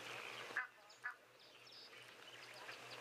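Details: Egyptian geese give two short, harsh honking alarm notes about half a second apart, warning of a jackal drinking nearby (a possible threat to goslings), over a steady background hiss and low hum.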